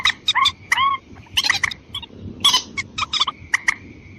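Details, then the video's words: White-breasted waterhen lure call meant to draw in females and males: harsh, croaking notes with bright overtones, delivered in short rapid bursts, over a steady thin whine and low background rumble. "Pikatan burung mandar ayam ayaman betina dan jantan"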